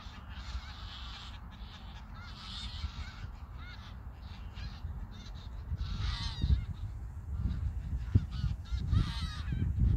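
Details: Flock of geese calling as they migrate over Koedijk, Langedijk, the Netherlands, on the summer evening of 21 August 2019; irregular honking from multiple birds, growing louder toward the end, with gusty low wind.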